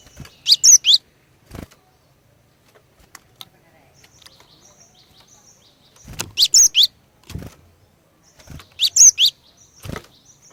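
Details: Female cinereous tit used as a lure to set males singing: three bursts of high, rapid chattering notes spaced a few seconds apart, separated by sharp clicks and quiet gaps.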